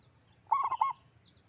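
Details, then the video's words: Local zebra dove with a strong voice giving one brief trilled coo phrase, warbling and mellow, over a low steady hum. "Perkutut lokal gacor suara besar"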